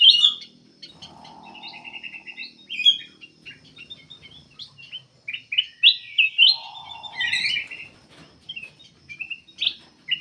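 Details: Lively song of a black-capped bulbul, played to lure other birds to sing. Rapid chirps, twitters and stuttering trills tumble together, with a low buzzy hum heard twice.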